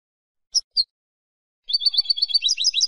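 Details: Goldfinch song for silvestrismo, the Spanish finch-song hobby: a pair of brief sharp chirps, a second of silence, then rapid jingling twitter of alternating high notes; clean recording.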